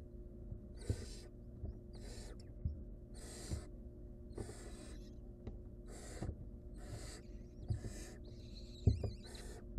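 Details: Barn owl family at the nest, a mother owl saving her nestling from choking; loud rasping hisses repeat roughly every second, each a harsh airy burst, over low bumping and shuffling sounds.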